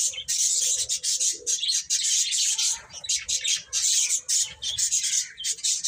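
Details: Busy chorus of chicks eating and playing: continuous shrill peeping from several birds, with brief dips in loudness and soft pecking or rustling sounds.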